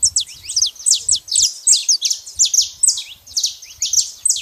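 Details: Saffron finch in nature, singing a dense run of high, sharp chirps and downward-slurred notes, delivered in quick bursts of four to six notes with brief gaps, steady throughout, with faint low rumbling underneath.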